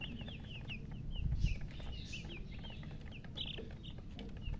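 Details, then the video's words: Newly hatched chicken chicks chirping loudly: a rapid run of short, high, downward-slurred peeps, several birds overlapping, over a steady low rumble of background noise. "Tot Murgi chicks chirping sounds Just Born Baby Gallina FRACAS Chicks Piar Loudly Sound"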